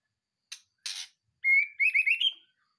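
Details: Murai batu, the white-rumped shama, a captive bird freshly moved from its breeding cage: two short harsh bursts, then a loud, sustained whistle breaking into a rapid warbled trill that rises slightly.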